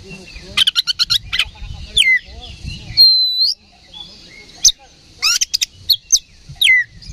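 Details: Oriental magpie-robin singing aggressively to provoke others: a rapid string of sharp chirps, a looping downslurred whistle and a long steady whistle, then more clipped notes and falling slurs.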